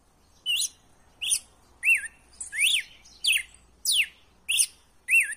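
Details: Red-cowled cardinal giving a wild-style song meant to stimulate a captive male to sing: about eight short clear whistled phrases, each a quick slurred rise and fall with thin high overtones, roughly every two-thirds of a second.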